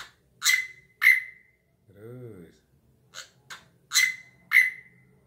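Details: Singing drongo following hand rhythm: a pair of crisp, whip-like notes with ringing whistled tails, a person's voice, soft clicks, then another matching pair of loud whistled notes.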